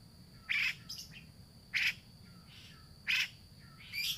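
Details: Lure recording of grey-cheeked bulbul, meant to draw out a bird that has gone quiet: rough, buzzy bursts repeated about every 1.3 seconds, with softer chatter between them over a steady high tone.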